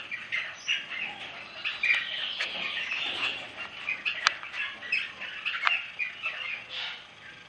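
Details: Crimson rosella, recorded in 2007, giving harsh, busy chattering squawks with a few sharper notes, running almost continuously over a faint background hiss.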